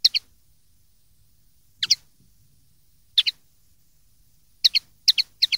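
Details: Common linnet tutor song from 2013 for young linnets: crisp high double chips, spaced first by gaps of over a second, then coming closer together in a quick series at the end.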